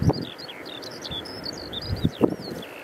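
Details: Eurasian skylark singing at Eyemouth on 30 May 2024, filmed with a Canon EOS 90D and Sigma 150–600mm lens; short high chirping and trilled fragments run throughout, broken by low thumps and rumbling noise.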